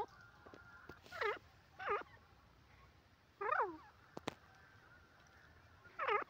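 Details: Francolin giving four separate arched, harmonic notes spaced one to two seconds apart, each a short nasal squawk, over a low steady background hum.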